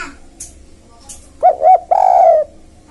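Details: Spotted dove calling to lure wild birds: two quick arched coos then a longer drawn-out coo, with faint clicks before.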